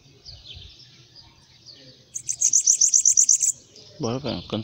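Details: Hand-held bananaquit delivers a single high, rapid, sizzling trill of about ten sharp notes lasting over a second, preceded by soft thin notes, followed by a man's voice speaking.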